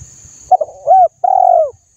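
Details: Mellow cooing from a spotted dove, meant to stimulate other birds to call: a quick broken opening note, then a rounded rising-falling hoot and a long, smooth closing hoot.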